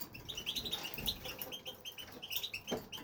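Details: European goldfinch, a male housed in an aviary, in steady song: rapid chains of clear, liquid, slightly nasal twitters repeated several times a second, with a soft knock near the end.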